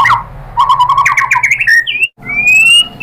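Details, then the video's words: White-rumped shama (murai batu) singing a lure song to coax other shamas into answering. Rapid chattering string of notes rising in pitch, a brief break, then one long, clear, rising whistle. "KICAUAN MURAI BATU bikin NYAUT ikut GACOR BONGKAR MATERI ISIAN ¦ PANCINGAN MURAI¦ SHAMA BIRD"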